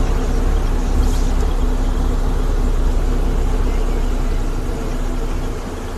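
Steady low vehicle engine rumble fills the recording, with faint speech over it and no animal calls.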